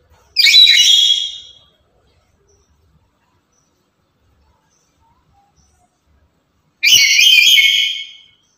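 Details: Very active, talkative and loud lory, kept as a lure and master bird for other lories, giving two harsh, broadband squawks about a second long, separated by roughly five seconds of silence.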